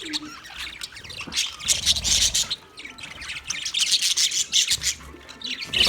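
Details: Budgerigar flock in an aviary in Australia: fast repeated high chirps and squawks, roughly three bursts a second, many birds chattering at once over a soft low rumble.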